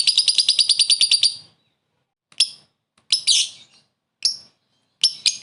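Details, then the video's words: Lovebird giving a short laughing call to lure and challenge a rival: a quick burst of rapid high chirps, then silence and scattered sharp, shrill single and paired notes. "Suara burung lovebird memanggil lawan + ngekek pendek mantap buat pancingan"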